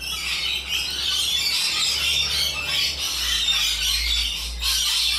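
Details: Wild Australian rainbow lorikeets in a social group produce loud, piercing, overlapping squeals and chatter, constant and high-pitched with no pauses.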